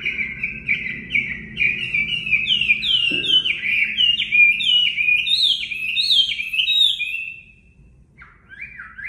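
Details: Chinese hwamei (Họa Mi mộc), a training recording for caged birds, sings a long series of loud falling whistles that climb gradually higher, about one and a half per second, with a single soft thud partway through and a short gap near the end.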